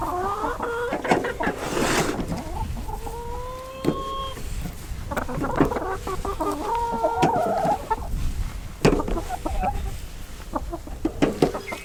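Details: Backyard hens, kept in though they want to come out, cluck and squawk in short nasal bursts with a few drawn-out complaining notes; faint high whistle and a woman's voice behind, on a rainy early-spring day.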